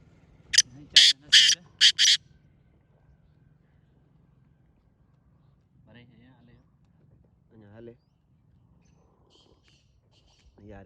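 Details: Grey francolin call meant to draw in other partridges: four loud, shrill, grating bursts in rapid series at the start, then a long quiet stretch with faint low murmurs and a few soft sounds.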